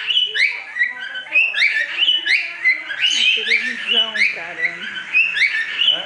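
A cockatiel sings a busy run of whistled notes and chirps, rising and falling in pitch.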